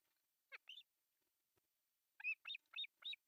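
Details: Begging of three osprey chicks during breakfast feeding at a Finnish artificial nest in Pohjois Satakunta, July 1, 2024. Two quiet high notes, then four evenly spaced, rising, whistled cheeps.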